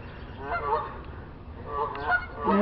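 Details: Geese on the neighbour's roof honking: two bursts of harsh layered honks about a second apart, then a louder rising call at the close.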